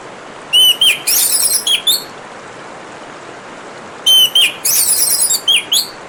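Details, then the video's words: Orange-headed thrush song against constant rushing water: each phrase opens with a clear whistled note, then runs into dense, scratchy high twittering. Two such phrases about three and a half seconds apart. "Kicauan Burung Anis Merah dan suara Gemericik Air"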